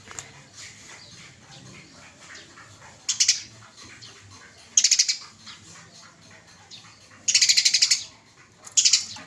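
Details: Masteran training recording of small cage birds chosen by judges: four short, harsh, rapidly pulsed high buzzy bursts at irregular intervals over a quiet background hiss.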